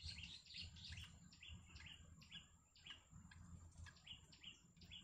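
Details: Yellow bittern family at the nest with chicks: quick, high, downward-sliding chirps repeat about twice a second through the clip over a steady low hum and a thin constant whine.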